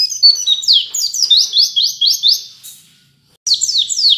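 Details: White-eye training song, 'wit wit cerr kenarian' style: a series of rising whistled sweeps repeated about twice a second, a short silence, then the sweeps return.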